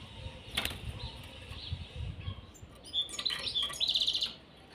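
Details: A caged pair of European serins: scattered high thin chirps lead into a quick, jingling, buzzy trill near the end, with wing flapping and rustling in the cage throughout.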